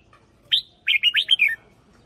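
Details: Red-whiskered bulbul kept as a cage bird, lure-style song of the hunting line: one sharp note, a short pause, then a rapid run of five warbling whistled notes that falls in pitch at the end.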